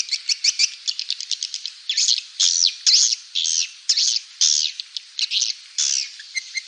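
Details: Swiftlet call used to lure swiftlets: quick high chips at first, then longer buzzy, scratchy twitters repeated about twice a second. The sound is thin and high.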